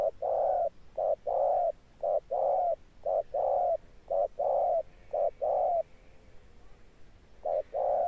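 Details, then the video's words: Wild-caught spotted dove in its 'thunder' coo with a persistent ending: five short-long pairs of low mellow hoots in steady rhythm, a brief pause, then cooing resumes. "Gù Âm Sấm_ Nước Tiền Bổi kèm dậm nghe chỉ có phê. Gù Hậu Bền Bỉ."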